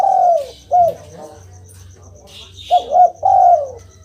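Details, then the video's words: Spotted dove calling, meant to coax a silent dove into replying: a long falling coo and a short hooked note, a pause, then a quick double note and a long drawn-out descending coo; faint high rhythmic ticking persists. "Denger suara ini, burung derkuku langsung nyaut"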